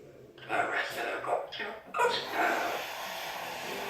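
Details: Talking Amazon parrot, said to know 40 phrases and to sing, indoors repeating a short human phrase in a clear, speech-like voice, several rapid syllables in two bursts.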